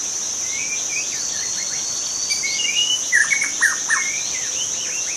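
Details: Wild young shama in forest, starting with faint thin whistles that build into a louder cluster of sharp, downslurred chips and quick notes, all over a persistent shrill insect hum.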